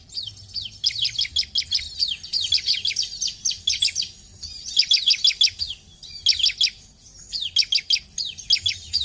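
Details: Bar-winged prinia singing continuous runs of fast, high, downslurred chipping notes, phrases rolling one after another with brief gaps, over a quiet low background hum.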